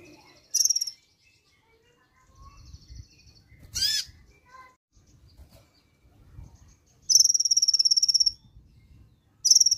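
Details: Brown-throated sunbird reacting at once to a played recording: sharp high chirps and a harsh downslurred note, then a fast, buzzy trill of rapidly repeated high notes, with a low rumble underneath.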